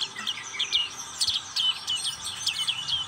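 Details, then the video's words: Ngriwik-style song of a black-capped white-eye, short bursts of sharp, high twittering notes and bright downward flicks, fast and run together, with a soft steady hiss behind. "Pleci black capped ngriwik"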